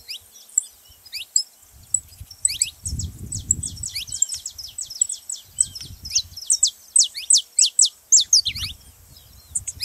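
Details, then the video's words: Song of a saffron finch meant to get other canaries singing: irregular high, sharp downward chirps, growing denser and louder toward the end, with intermittent low rumbling in the background. "canário da terra pra foguea seu canário frio"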